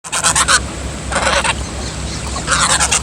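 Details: A female gosling gives three harsh, raspy honking bursts, each about half a second long and spaced roughly a second apart, over a low background hum.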